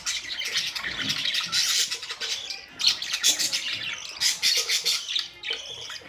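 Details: Colorful budgies recorded on May 2, 2023, giving bursts of scratchy chatter and sharp squawky chirps in uneven clusters, with brief quieter gaps between flurries.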